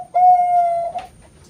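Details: Bangkok zebra dove, a farm-bred competition-quality singer from Kroya, Cilacap, Central Java, Indonesia, giving one long, smooth, steady coo lasting almost a second after a brief soft note, with little background noise.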